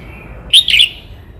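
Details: Red-whiskered bulbul from Cao Bang delivering one brief, bright, bubbling whistled phrase of two linked notes, loud and close over a faint steady background whistle.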